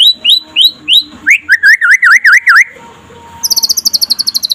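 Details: Pastol-type white-rumped shama in daytime song, used to provoke other shamas to sing: sharp rising chirps, a run of looping whistled notes, a pause, then a high rapid repeated chatter.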